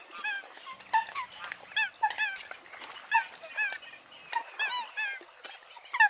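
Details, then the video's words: Eurasian coot: irregular nasal, squeaky call notes with rich overtones, some short and clipped, others drawn out and wavering, scattered through the recording with brief pauses between them. "tiếng sâm cầm"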